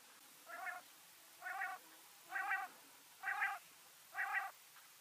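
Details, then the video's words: Quail call played to lure quail for hunting in severe winter cold: five short nasal, harmonic notes, evenly spaced about one per second, over a faint low background hum. "Quail sound"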